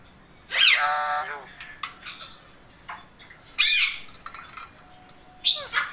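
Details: Happy pet male Indian ringneck gives drawn-out, buzzy, descending squawks with rich overtones, spaced a few seconds apart, three main calls in six seconds.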